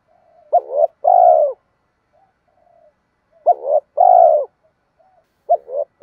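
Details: Spotted dove cooing to rouse and lure wild doves: two-part phrases, a short wavering note then a longer steady low hoot, repeated about every three seconds, with soft quiet coos between. No other sounds.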